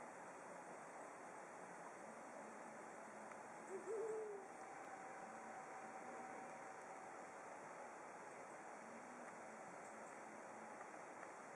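Brown wood owl giving a single soft, low hoot, with fainter deep hoots now and then, over a steady drone of night insects.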